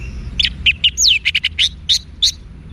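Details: Orange-headed thrush song for training cage birds, Singaraja, northern Bali: a rapid run of sharp chirps and a downslurred whistle, about a dozen notes in under three seconds over low background hum.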